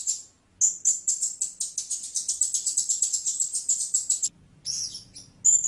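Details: Blue-crowned hanging parrot uttering a long, rapid run of high, thin chips at an even pace, then a short gap and a couple more squeaky notes.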